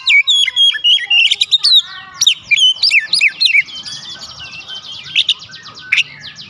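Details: White-rumped shama song intended to provoke replies from other birds, with rapid loud whistles and chips at first, fading into a buzzy rattling trill and scattered sharp notes.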